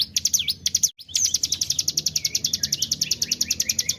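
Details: Hill prinia lure song, 'tarikan bren': a few high swooping V notes, a brief gap, then a fast even series of sharp ticking chips, almost three per second.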